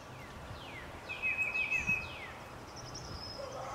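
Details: A nesting Blue-gray Gnatcatcher in Benbrook, Texas, 04/05/14, gives thin, high, slightly buzzy notes, several quick downslurs and one drawn-out wheezy note, over steady outdoor background noise.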